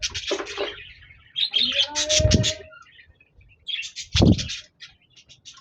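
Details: Budgies chirping, 26 January 2024: scattered squeaky chirps and brief chatters separated by pauses, with two heavy rattling thumps and a short whistled note.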